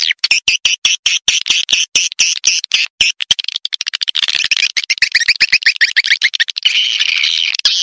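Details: Lure sound for attracting swiftlets, played in many places including remote forest with swiftlet houses: rapid high clicking chirps in quick succession, speeding into a rolling twittering trill before a steady buzzy chatter.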